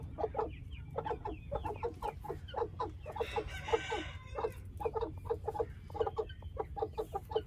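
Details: Two white Aseel Heera hens brooding together in a handmade wheat nest, hatching golden buff chicks naturally; steady low clucks repeat roughly every half second, with a brief burst of higher chick peeping midway.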